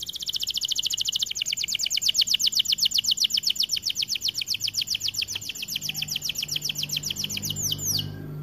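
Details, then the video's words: White AF canary in full vigorous song, one long unbroken run of rapid high repeated notes that gradually slow and break into a few sharp downslurred notes at the end. A faint low hum sits underneath. "Kenari AF warna putih GACORR DORR"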